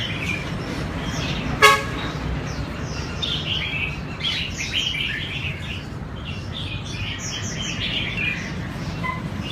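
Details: Red-whiskered bulbul practising for a singing contest, giving quick chirpy warbled notes that grow busier in the second half, preceded by a single sharp click, all over steady low background noise.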